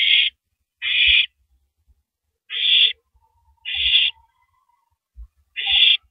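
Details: Owl calling at 3:33 AM on 9 April 2012 while shredding and swallowing a large rabbit: five harsh, hissing bursts, each about half a second long, with soft low thumps and rustles in between.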